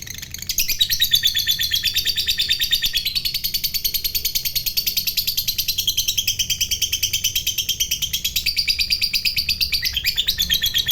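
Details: Long ngekek chatter from a fighter lovebird, a sound said to provoke other lovebirds: after a short pause it launches into about ten seconds of rapid, rasping, evenly pulsed high trilling that never breaks.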